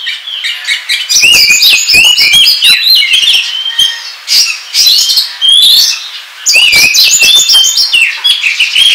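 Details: Oriental magpie-robin song used as a trapping lure: dense, loud, chattering phrases of twisting whistles, trills and harsh clicks running almost without pause for nine seconds, broken by a few short gaps.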